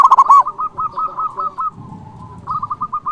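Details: Local perkutut singing energetically to draw rivals: a quick loud cluster of coos opens, followed by a steady string of softer, evenly spaced short coos, a pause, and more of the same.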